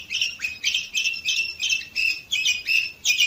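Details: Orpheus canary recorded in 2018 in Varna, Bulgaria, repeating a rich chirping phrase about three times a second, each burst full and slightly rasping, with a steady rhythmic pulse throughout.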